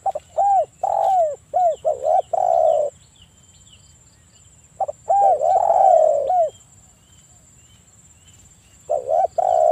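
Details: Spotted dove giving bursts of low, hoarse, hooting coos in quick groups with pauses between phrases, over a faint steady high hiss. The recording is used as a lure to make other doves in breeding mood call.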